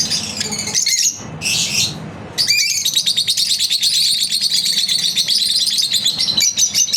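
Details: Pet lovebirds in their daily routine, chirping in a rapid, high-pitched stream of sharp notes, with a brief pause before a denser burst of buzzy chatter runs on to the end.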